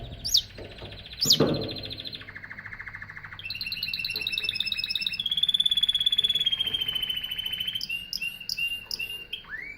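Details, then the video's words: Singing canary opens with two sharp chirps, moves into a low rolled trill, then climbs to bright, rapid high trills, ending in a few separate sweeping notes. "Singing Canary"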